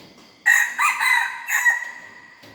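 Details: Hybrid red junglefowl youngster practising its crow, a raspy multi-part call lasting around two seconds, broken into four pulses and fading at the end, over a quiet background hum of high steady tones.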